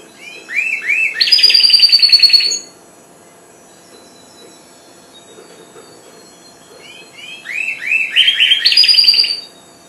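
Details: Young goldfinch hybrid, four months old, just learning to sing: two matching phrases, each opening with rising chirps that run into a dense, bright buzzy trill, separated by several seconds of quiet.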